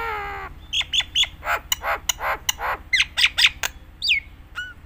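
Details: Nias hill myna in busy song, a lure for teaching other mynas: a nasal harmonic note, then rapid harsh squawks and chattering bursts mixed with short whistles, ending in a falling whistle, over a low background hum.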